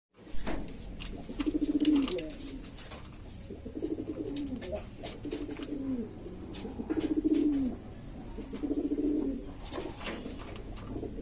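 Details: Domestic pigeons of several kinds from East Lombok, West Nusa Tenggara, Indonesia, a noisy flock cooing: low, throaty rolling coos that swell and fade about every two seconds, with sharp clicks and scrapes between them.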